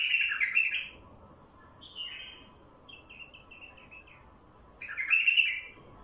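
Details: A wild bulbul sings a loud, bubbly burst of warbled notes, then a soft descending run of short chirps, and another rich burst about four seconds later.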